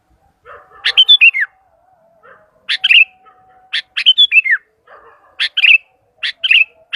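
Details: Sooty-headed bulbul calling to other bulbuls with clear, chirpy phrases of short sharp notes that rise and then fall, repeated at intervals of about a second, and faint soft twittering in the gaps.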